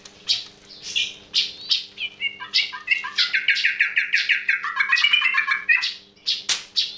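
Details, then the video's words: Yellow-vented bulbul giving an unusual sound: short chirps that lead into a long, rapid, bubbling warble that rises and falls, with a faint electrical hum in the background. "TRUCUK SUARA ANEH"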